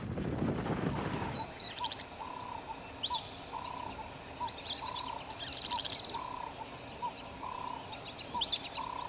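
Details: Green-backed Camaroptera at Mkuze Game Reserve, South Africa, in cold winter weather: a steady string of short, mid-pitched notes, about two a second, with higher chirps from other birds and a low rumble at the start.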